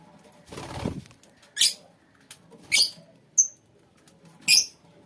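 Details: Colony of lovebirds: a rustling flutter, then three separate harsh, high screeches spaced about a second apart, with one thin pure whistle between them.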